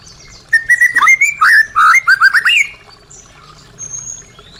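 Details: White-rumped shama song used to prompt caged birds that have stopped singing: a rapid run of loud, clear whistled notes, some rising and some falling, then a quieter high note near the end.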